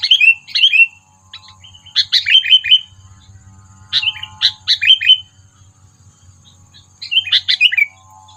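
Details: Sooty-headed bulbul lure call for bird trapping, aimed at provoking predators: clusters of two to four quick, bubbly, downslurred chirps repeated every one to three seconds, with a low murmur underneath.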